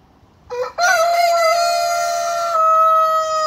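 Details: Loud crow in a lesson between a big Brahma rooster and a young Ayam Cemani cockerel; a brief stuttering start, then a strong, steady, richly harmonic cry sustained nearly three seconds, slightly dipping midway, with little other noise.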